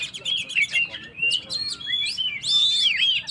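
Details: Singing Oriental magpie-robin, used to excite stressed birds: rapid, varied chirps and bright sweeping whistles in a busy, rolling phrase, ending with clear looping notes.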